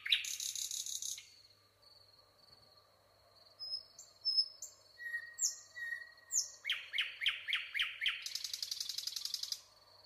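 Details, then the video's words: Singing nightingale opening with a loud buzzy rattle, then soft high whistles, a rising run of sharp repeated notes speeding up, and a final fast mechanical trill. "nightingale singing"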